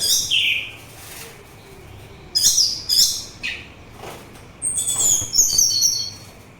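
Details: An orange-headed thrush sings, recorded for relaxation and luring birds: a bright opening note, scattered sharp chips, then a long high twittering trill toward the end, with a low constant hum.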